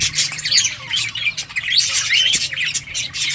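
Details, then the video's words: Budgerigars flocking in a colony, many overlapping chirps, squeaks and rising whistled notes forming a busy continuous chatter. "budgies parrot chirping sounds"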